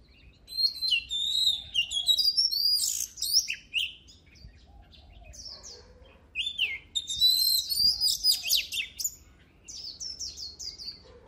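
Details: Oriental magpie-robin song used to stimulate singing: rapid chattering phrases of high whistles and trills in two loud bursts, separated by a quieter stretch, over faint background noise.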